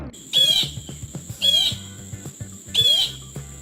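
A blue jay gives three harsh, nasal jeer calls, each a bit over a second apart, over faint background music.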